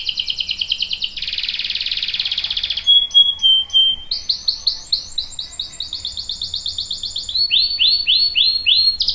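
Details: Canary in full song, a lure meant to set other canaries singing: a buzzy trill, a dense rolling rattle, a few pure whistled notes, then rows of rapid downslurred chirps repeated several times a second.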